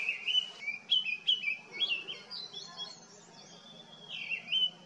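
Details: Cheerful Grey-winged Blackbird singing at Jabbarkhet in the Himalaya, where foxgloves bloom; a string of quick fluty, falling whistles at first, then a calmer stretch closing with one drawn-out, rising warbled phrase.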